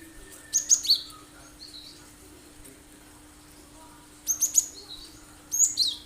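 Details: Cinereous tit (gelatik batu) singing sharp, full 'tembakan' phrases, used as a lure so other birds imitate it: three bursts of high, thin whistled notes with quick down-slurred pairs, spaced by long pauses; a faint steady hum underneath.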